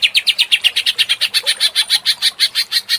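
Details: Greater green leafbird lure sound for agitated 'ngentrok' singing: about twenty sharp, slightly descending chips in three seconds, bright and evenly spaced.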